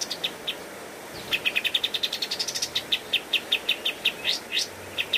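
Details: Pied triller song as a cage-bird training master: scattered notes lead into a quick rising rattle of bright chips, then evenly spaced notes with sharp upward whistles, against steady soft hiss.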